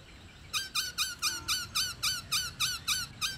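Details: Female black-throated laughingthrush giving a quick series of about eleven identical hooked, slurred notes, evenly spaced, a call meant to attract males and spur them into song. Low room hum underneath.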